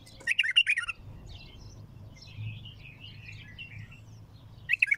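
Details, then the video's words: Bulbul with a powerful raw song: a loud burst of rapid notes, a long stretch of soft, thin, wandering warbles, then the loud chattering starts again at the close. Low hum in the background. "اقوى تغريد بلبل خام حنجره ثكيله"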